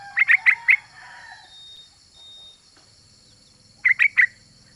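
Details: Female trucuk calling the male: two bursts of quick, clear whistled notes, four in the first group and three in the second, separated by a pause, over a steady high hum.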